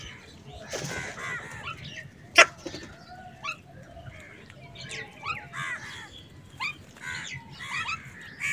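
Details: Crows squabbling over food give a busy run of short, harsh, overlapping calls, some sharp and clipped, others rougher and longer, scattered across the clip with one loud snap near the middle.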